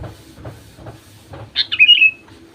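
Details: Lure song of a sooty-headed bulbul, played to make reluctant bulbuls sing: a single brief, liquid, warbled phrase that drops in pitch and ends in a thin tail, with faint low thumps before it.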